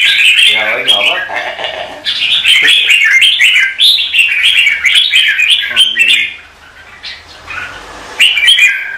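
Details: Red-whiskered bulbul competitive singing for morning training of cage birds: rapid chains of clear, rolling warbled notes repeated several times a second, dropping briefly into quieter notes near the end before a loud phrase returns.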